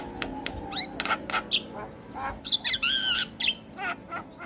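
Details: Stressed Javan myna answering the call of another Javan myna, with full isian: a few clicks, then loud looping whistles and a buzzy double-toned squawk near the end, over faint hum.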